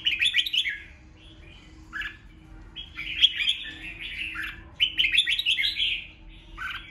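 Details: Red-whiskered bulbul, song played to excite rival birds into answering; lively whistled phrases with chattering notes, repeated in bursts about every couple of seconds, with a faint constant hum in the background.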